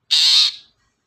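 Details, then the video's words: Long-tailed shrike, lure sound for provoking other birds to sing: a single loud, rasping screech lasting about half a second, then silence. "suara pancingan burung cendet"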